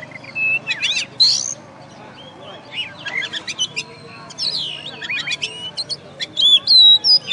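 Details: Singing-contest champion oriental magpie-robin from West Kalimantan alternates bright descending whistles with rapid clicking chirps, ending in loud repeated sharp notes, over a low background hum.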